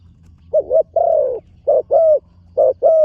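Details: On its first outing to the dirt competition ground, a young spotted dove in training coos three times, each phrase a quick short note followed by a longer, gently falling mellow coo, against a soft low rumble.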